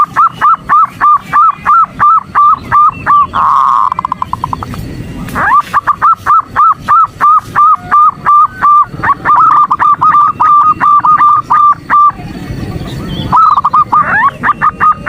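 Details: Female zebra dove's morning call to the male, meant to rouse him: long runs of rapid, evenly pitched nasal hoots, interrupted twice by brief noisy stretches, then continuing in steady rhythm.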